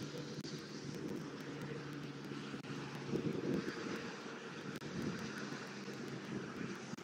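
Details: Outdoors, the drone of a passing airplane engine dominates over wind noise and faint clicks, with no animal calls heard.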